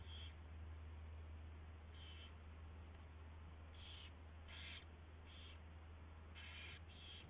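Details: Nest owl recorded at 4:21 AM on 24 February 2016 as a mouse is delivered and fed. About seven brief rasping, breathy bursts come in an irregular sequence, some in quick pairs, over a constant low electrical hum.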